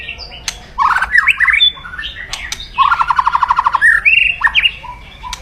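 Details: Loud, aggressive white-rumped shama kretekan meant to raise a rival's emotion: scattered sharp clicks and short chirps, then a long buzzy rattling crackle, followed by quick whistled notes and a final rattle.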